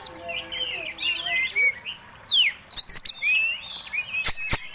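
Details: Fighting Oriental magpie-robin song meant to provoke other birds: sliding whistles and chattering notes in short phrases, ending with sharp loud clicks.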